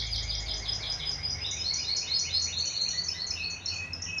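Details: Singing canary, good singer regardless of breed or colour: a dense run of quick chirped downslurred notes repeated in rapid series, bright and high, with a faint low hum beneath.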